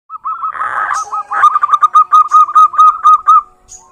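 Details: Local female zebra dove calling a rival: a low trilled coo gives way to a fast run of evenly pulsed, crisp cooing notes, about four per second, ending in a short soft note.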